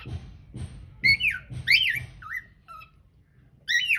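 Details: Cockatiel singing, filmed on a hidden camera: a few loud warbled whistles with bent, wavering pitch, then two short lower whistles and a final burst, over soft regular low thuds.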